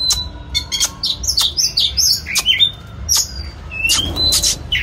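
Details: White-rumped shama in song during its display: bright high warbled notes, sharp click bursts and short rising whistles crowded into a lively, fast-changing phrase.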